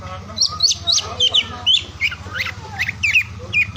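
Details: Oriental magpie-robin singing, used to prompt mute or lazy birds to sing: short bright whistled notes, some sliding downward, come in quick bursts about every quarter second above a constant low-pitched hum.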